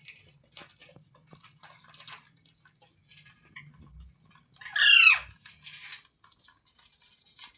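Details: Parrot giving a single loud, harsh squawk midway, with faint scattered clicks and rustling before and after.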